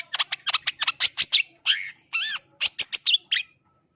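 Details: A long-tailed shrike (Lanius schach) delivers a fast, scratchy song medley of about twenty harsh chattering notes mixed with a few clear whistled sweeps; nothing else is heard.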